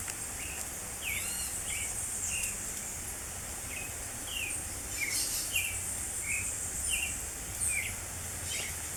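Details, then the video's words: Creamy-bellied thrush in spring delivering short clear whistled notes in an irregular run of about thirteen, each slurred or slightly trilled, with continuous shrill insect hiss in the background. "SABIÁ POCA! (Turdus amaurochalinus) O canto MAIS ouvido da NATUREZA na PRIMAVERA!!!"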